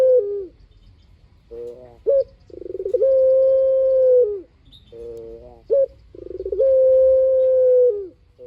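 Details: Collared dove song from a frequently calling bird, played as a lure so others answer: two repeated phrases, each a short hooked note, then a buzzy trill sliding into a long steady mid-pitched coo lasting over a second.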